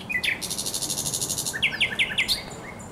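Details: Spring song of a thrush nightingale, Żerań Canal, 24 April 2022: a high, hard buzzing rattle, then four or five sharp downslurred chirps repeated in quick succession.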